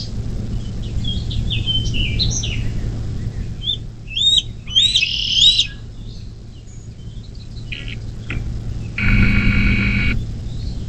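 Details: Nest-camera recording of a bald eagle at the nest on the Little Miami National Wild & Scenic River, Ohio, 24 May 2024 at 10:12: a run of high chirping, piping notes, loudest midway, then a harsher, buzzy burst, over constant low hum.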